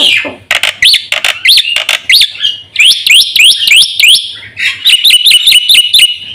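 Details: Lure and tutor recording of a vocally active Black-winged myna for caged birds. A varied phrase opens with scratchy notes, then rising whistled hooks repeat about twice a second, ending in a quicker run of ringing notes.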